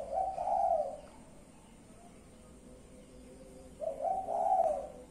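Spotted dove giving two soft, low cooing phrases about three seconds apart, each a quick run of mellow hooting notes over a faint background hiss.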